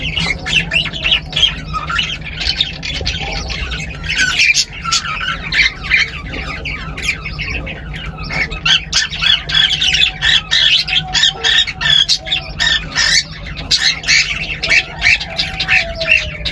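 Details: Cockatiel; song; courtship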